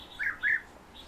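A European bee-eater gives two quick, liquid, rolling 'prruip' notes in mid pitch, close together, over a quiet background.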